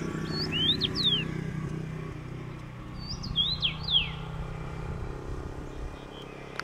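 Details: Common rosefinch on a Fujifilm X-T3 recording, with two short phrases of sliding whistles about three seconds apart over a loud, continuous motor drone.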